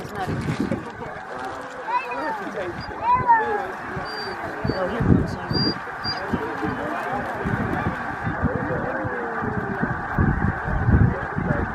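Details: Large flock of snow geese at Middle Creek Wildlife Management Area, Stevens, Pennsylvania, USA, on 26 February 2023. A dense, continuous chorus of nasal honks and yelps rises and falls, with low rumbling and occasional louder bursts.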